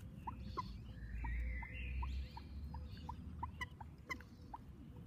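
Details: Common moorhen chicks giving short, thin peeps repeated irregularly, about one to two per second, over low rumbling background noise with faint sliding calls of other birds.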